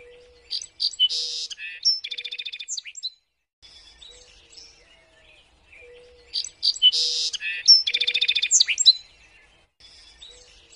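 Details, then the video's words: A small songbird gives two high, bright phrases ending in a fast buzzy trill, about six seconds apart, over a recurring soft low whistle. This clear, sharp foreign-bird song is used as master song for training songbirds. "suara burung jernih bagus untuk masteran burung kicauan"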